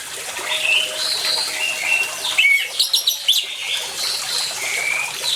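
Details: Orange-headed thrush delivering a brief cluster of rapid high chirps and clipped whistles within a lure recording with water sounds, framed by softer background warbles and an even hiss of running water.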